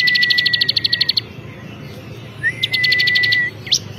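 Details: Champion bar-winged prinia (ciblek kristal) singing hard. A long level whistle runs under a rapid series of high chips, then a pause, a second matching phrase and one final upward sweep.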